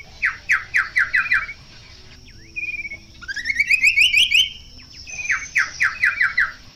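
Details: Chestnut-capped babbler, known locally as kaso-kaso or tepus gelagah, singing a long-duration variation: runs of four to five quick descending slurred notes, then a rising series of rapid chattering notes, then another descending run.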